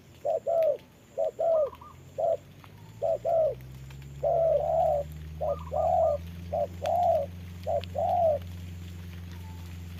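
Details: Trapping decoy spotted dove calling at a wild rival in the rain; bursts of short and long coos in uneven groups, a few higher warbled notes between, ending in quiet with a steady low drone.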